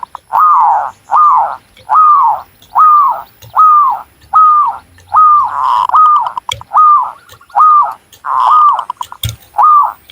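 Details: Local Java zebra dove recorded in Cilacap, Central Java, repeating a steady series of about thirteen arched, rising-then-falling coos, roughly one every three quarters of a second, in a regular mellow rhythm.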